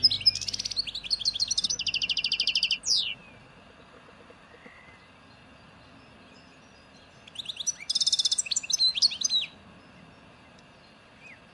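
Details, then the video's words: European goldfinch in the 'nature' song style of Souk Ahras (Taghast), Algeria, associated with Ain Dalia dam, Djnane Bouecha and Firmet Djoudi, 1995: two bursts of bright liquid twittering and buzzy trills, separated by a long pause over low steady background hum. "Nature chardonneret"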